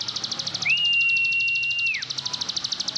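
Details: Plain prinia (Prinia inornata), a rice-field bird, gives a high, dry buzzing trill of rapid pulses, about ten a second, with a long, steady, pure whistle over it for over a second.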